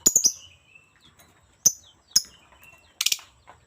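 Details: Lovebird giving scattered shrill, piercing chirps, a quick double note at the start, then single sharp calls spaced about half a second apart, ending with a harsher clustered burst.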